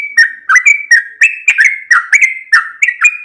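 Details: Sooty-headed bulbul giving the extended 'ropel' song used to train caged birds: loud, fluty whistled phrases alternating with downward-slurred notes and sharp ticks, delivered in quick bursts roughly every quarter second.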